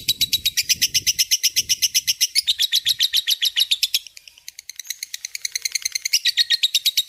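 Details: A lovebird in full song giving its long ngekek chatter, recorded for training magpie-robins and shamas. Quick shrill notes are repeated continuously, briefly thinning into a buzzy stretch, then the bright rattling resumes.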